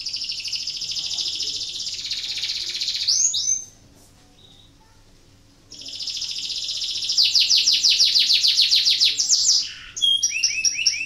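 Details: Canary in breeding condition, song played to encourage other canaries to sing: long buzzy high trills broken by a brief silence, then rapid repeated swept notes and a final burst of chopped rattling phrases.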